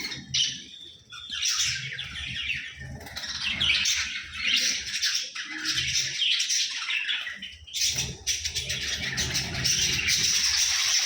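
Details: Breeding budgerigars chatter continuously with rapid, scratchy warbles and sharp squawks, several birds at once.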